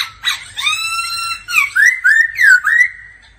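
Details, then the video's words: Laughingthrush singing in daily vocal practice: loud, clear whistled phrases, a long harmonic-rich note, then a quick series of rising and falling slurred whistles, about four in under two seconds. "Khướu hót luyện giọng mỗi ngày"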